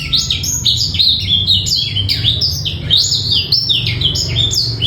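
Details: Black-throated canary master song for young birds, clean without rattle: brisk sequence of high chirps, rising and falling slurs repeated in quick bursts across five seconds.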